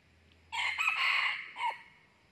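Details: A red junglefowl cock gives one short, harsh crow lasting about a second, rising then trailing off in a clipped final note, during trapping of wild junglefowl with a decoy cock.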